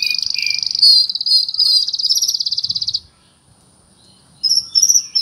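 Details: Oriental magpie-robin performing cricket mimicry: a sustained, fast pulsed trill like a chirping cricket for about three seconds, a brief silence, then higher buzzy notes resume.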